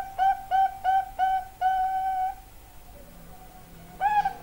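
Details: Zebra dove, known locally as perkutut, singing a few quick, clean hooting notes that run into one long, level, held tone. After a pause, a single faint note follows, then a brief louder one.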